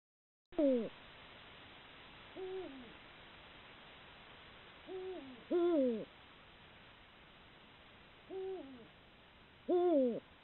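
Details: At night in the mating season, two rival male Eurasian eagle-owls duel over a female, caught by a camera trap. Their deep, booming hoots come from a loud owl and a softer one answering every couple of seconds over a steady hiss.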